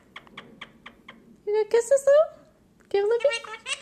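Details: Lutino male Indian ringneck parakeet, three years old, kept as a pet, talking: a series of soft clicking kiss sounds, then two bursts of clear, high, voice-like phrases with rising pitch, in a quiet small room.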